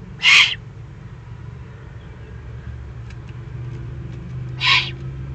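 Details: Two raspy begging screeches from excited young Eurasian eagle-owls in the Eifel, June 2020, the first loud and the second softer about four seconds later, over a low rumbling background.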